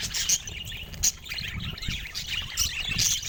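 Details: Budgerigar chatter of quick, bright, high chirps and scratchy twitters, with a couple of sharp louder squeaks standing out against steady faint background noise.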